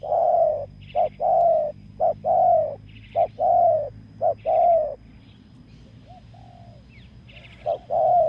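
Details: A spotted dove is drawn in by a decoy bird on open ground. Loud coos come in paired bursts, then pause while softer, distant arched coos answer before the loud calling resumes. Light chirps are heard above.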